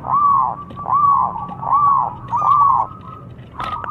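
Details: Zebra dove song from a young local bird used as a lure: four loud, rounded, arching coos in a regular rhythm, each a little under a second long, ending with a short burst and faint background hum.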